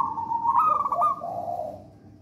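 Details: Zebra dove of local wild Javan stock, singing 'songgo ratu' style as a lure for other doves. One rolling coo phrase: a steady tone breaking into quick stuttered pulses, then a lower warbling tail fading out, with faint low hum behind.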